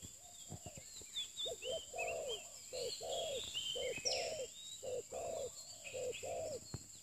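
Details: Spotted dove during lure trapping (pikat), a new bird, giving dense low hooting coos in quick, overlapping bursts, several possibly interleaved, while other birds chirp and whistle higher above throughout.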